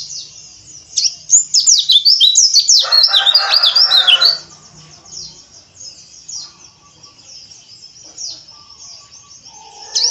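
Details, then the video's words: Oriental white-eye singing a rough 'ngeriwik' chatter, used as a lure to get other white-eyes singing: a dense burst of high, fast twittering chirps for about three seconds, with a low buzzy band underneath, then scattered faint chirps. "PANCINGAN PLECI AGAR NGERIWIK KASAR"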